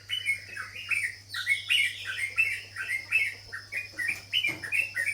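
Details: Sooty-headed bulbul (local name cucak jawa, or trucuk) delivering a brisk string of bright, bouncing chirps, each note slurred upward and dropping back, with a steady faint hum beneath.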